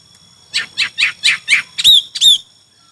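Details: During a hwamei singing contest, five quick rasping downward notes are followed by two loud clear whistles, each sliding down then leveling off.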